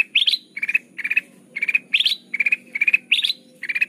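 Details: A golden bulbul (kutilang emas) singing, used as a lure for trapping: bright, clear chirped phrases in short bursts about every half second, alternating flat notes with higher rising double notes, over a faint low hum.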